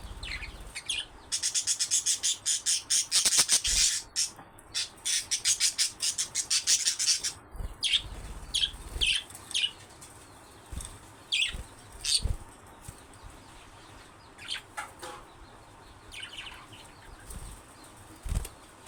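Budgerigars chatter in dense bursts of scratchy, high chirps and squawks.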